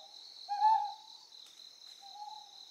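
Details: Ryukyu scops owl calling on Amami Oshima, Japan: one clear low hoot followed about a second and a half later by a quieter answering hoot, with constant shrill insect noise behind.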